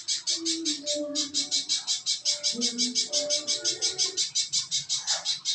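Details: Little spiderhunter song, played as a lure to prompt other birds to sing: a fast, very regular series of high, sharp chipping notes, about three per second throughout, over faint lower whistled tones.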